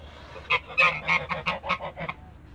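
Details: A couple of Toulouse geese in a backyard calling a short series of loud, nasal honks, roughly eight in under two seconds, fading at the end.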